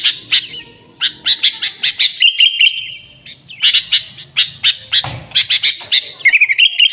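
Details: Sooty-headed bulbul singing energetically, a clean recording for attracting the species: rapid bursts of high chirps broken by a steady whistled note, then a tight cluster of quick chirps at the end.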